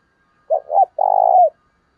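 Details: Decoy spotted dove calling energetically to attract wild doves: one clear phrase of two short rounded coos followed by a longer buzzy, purring coo that drops away at the end, against silence.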